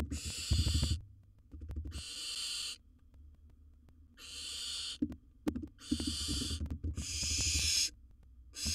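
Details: Nest-box recording of a wild barn owl swallowing a large prey: six strident hissing bursts in fairly steady succession, with scattered low thumps and scraping between them.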